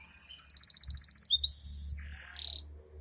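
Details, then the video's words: Canary in breeding condition singing steadily: a quick series of evenly spaced high chirps, then a rapid rolling trill, followed by long, shrill, sustained whistled notes and a short buzzy flourish, over a faint low hum. "kenari gacor sedang birahi"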